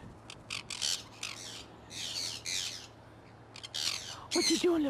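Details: A pet conure flock out flying in Iowa in early spring 2003 gives raspy squawks. Short and longer harsh calls come at varied intervals, and a person's voice breaks in at the very end.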